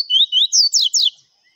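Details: Double-collared seedeater singing in the viviti style: a clean, fast run of loud high whistled notes, first sliding upward, then steeply falling slurred notes, ending abruptly in silence.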